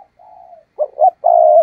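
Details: Decoy spotted dove cooing to lure wild doves for trapping: a soft low hum, then two short throaty notes and a longer steady low coo, all closely spaced.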